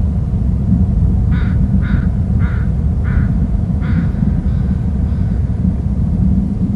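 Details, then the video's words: Two eagles at their Hornby Island nest territory both call while one soars off to the right: a series of about seven short, harsh notes, roughly two per second, fading, over a constant low rumble of wind or traffic. "both eagles calling"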